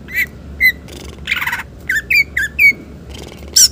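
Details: Green leafbird singing its mimicry-rich repertoire, meant for prompting and tutoring other songbirds: separate sliding whistled notes, one harsh rasping burst, then repeated clear slurred whistles and a final high sharp note.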